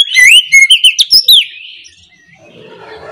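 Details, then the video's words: Morning ngeplong song of an oriental magpie-robin, meant to coax quiet birds into answering: a quick run of loud, rising whistles and clipped chips lasting just over a second, then fading into soft distant chirping. "KICAU PANCINGAN KACER NGEPLONG DI PAGI HARI, BUAT PANCINGAN KACER Malas bunyi supaya LEKAS NYAUT!"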